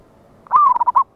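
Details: Single phrase from a loud local wild zebra dove used as a trapping lure, recorded 11/8/24: a sustained coo gliding slightly downward, followed by four quick staccato coos.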